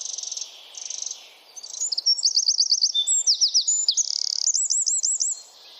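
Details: Wren singing a dense 'tembakan' (rapid-fire) song used as a masteran training recording for songbirds: two short high buzzy notes, then rapid looping trills and sweeping whistles that rattle on in fast bursts for about four seconds, with a faint low hum beneath.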